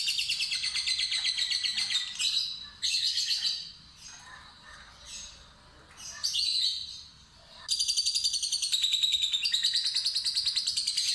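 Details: Lovebird, fighter type, in broken ngekek ngetik bursts: several short rapid rattles separated by quieter gaps, then a strong sustained pulsed trill from about eight seconds to the end.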